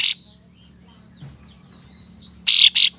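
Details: Tail-spreading kapas tembak, or Ashy tailorbird, delivering coarse, spicy 'besetan' notes used to goad rival birds: one harsh buzzy burst, a long gap, then a rapid pair of rasping strident bursts.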